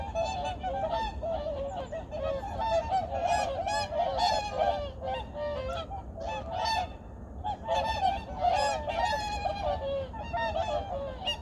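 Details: Various migratory birds at Junam Reservoir in Changwon, recorded early in the morning in 2019: a dense, continuous chorus of overlapping honking calls from a large flock, with no pauses across the whole stretch.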